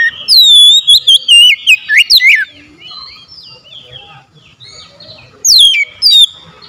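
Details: Oriental magpie-robin song meant to make silent, reluctant birds answer: loud, clear whistled notes sweeping up and down in quick bursts, some sharp rising slurs, then a quieter stretch of softer warbling before two final loud whistled phrases.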